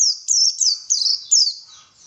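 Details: White-eye song for luring birds into vigorous singing: a brief sequence of four loud, high, thin warbled phrases, each slurring downward.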